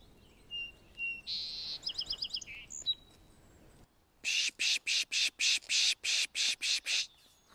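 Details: Song Sparrow in forest at Birch Bay State Park, Blaine, Washington, singing a quick song of clear opening notes, a buzz and a rapid trill, reacting to a dozen loud, evenly spaced hissing pishing sounds from a birder.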